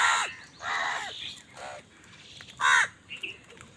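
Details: Crows in a food fight give harsh caws, two loud ones opening, a fainter one in the middle and a final strong caw, with a faint short note after.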